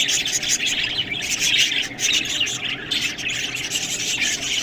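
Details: Budgerigars chattering as they eat green food, with high warbled chirps and scratchy squawks that dip briefly near the middle.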